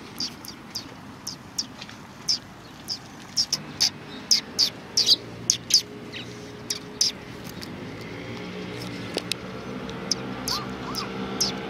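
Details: Several sparrows recorded on 10 March 2019, giving short, high, sharp chirps in irregular bursts over steady background noise, with a faint lower whistle late on.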